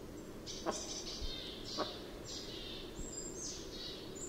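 A capercaillie's lek display: sharp, hollow clicks about a second apart, mixed with dry, hissing scrapes. A thin high chirp from another bird sounds briefly.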